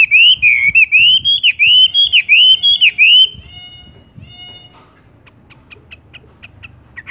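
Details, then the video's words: Horsfield's bush lark in 'tung roll gantung' song: about three seconds of rolling, looping whistled notes repeated quickly, followed by a couple of thin drawn-out whistles and faint soft ticks. "wambie tung roll gantung langsung ngerol"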